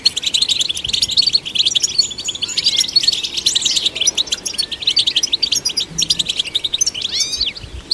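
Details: Goldfinch singing to stimulate goldfinches, a continuous high chattering twitter studded with buzzy trills, ending in a couple of steep upward-sweeping notes.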